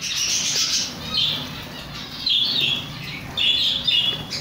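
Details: Chicks giving short, high peeps in bursts, some rising and falling, several overlapping over a steady broadband hiss.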